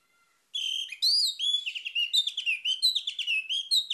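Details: Orange-headed thrush pouring out a continuous, fast, warbled song of high, piercing whistles and trills with no pause for about three and a half seconds.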